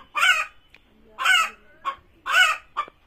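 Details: Chicken calling before laying eggs, three loud rasping squawks about a second apart, each followed by a short fainter note.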